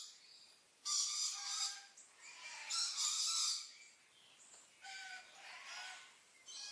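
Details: Red-billed leiothrix, a species naturalized and spreading in Europe, gives harsh, scratchy chattering bursts about a second long, with brief thin high notes between them.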